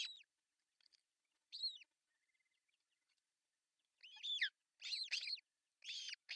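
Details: Osprey nest in Finland on June 10, 2024, male arriving with a large breakfast fish; a high arched whistle, a pause, then loud bursts of shrill rising and falling cries bunched together.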